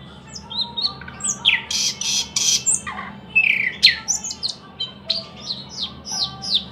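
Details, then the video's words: Thrush nightingale song with harsh, broad rasping blasts and clicking rattles mixed with sliding whistles, ending in a run of repeated downslurred piping notes; a soft hum runs throughout. "luscinia luscinia"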